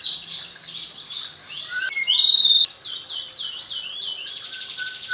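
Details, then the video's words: Magpie-robin hand-raised from a fledgling sings fluent isian fill-ins: a buzzy high phrase, a pure sustained whistle, then a series of about five sweeping notes ending in a fast trill. "Burung murai rawatan dari trotol hasilnya lebih maksimal isian faseh2"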